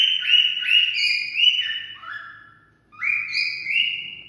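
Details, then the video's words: Cockatiel song said to stimulate mating: a string of clear, stepped whistled phrases that dip and rise, a brief pause, then two more rising whistles. "Cocktail stimulating sounds for mating"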